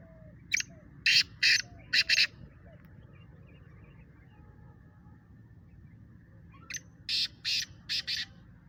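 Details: In a calling contest, a black francolin (speeder kala teetar) gives two raspy phrases of about five harsh notes each, separated by roughly four seconds of quiet with a faint background hum.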